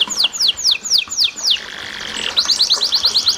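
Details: Canary song with gurgling water behind it, used to draw other canaries into song: six evenly spaced downward whistled slurs, a soft hissing gap, then a fast sequence of bright rising chirps.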